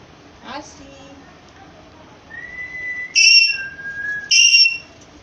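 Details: Indian green parrot giving short, piercing, high-pitched whistles. A long, level, softer whistle leads into two loud bursts about a second apart, over faint background hiss, with a brief human voice near the start.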